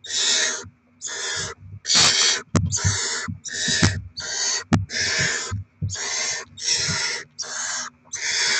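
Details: Barn owls at the nest on 07/02/2024, chicks being fed with rodent deliveries; about eleven harsh, breathy hissing screeches of roughly half a second each, repeated in a fairly steady series, with soft knocks and scuffling sounds underneath.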